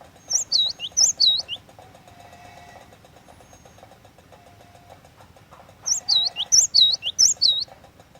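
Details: Cinereous tit singing loud, lively lure song: two bursts of clear whistled two-note phrases, each a high note dropping into a swooping lower note, repeated quickly. A quiet gap falls between them, over a steady low mechanical ticking hum.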